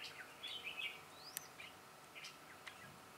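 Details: Decoy red-whiskered bulbul singing to draw wild birds during a trapping session, 22 September 2017: a short run of lively warbled chirps at the start, then scattered single notes and a thin rising whistle amid background hiss.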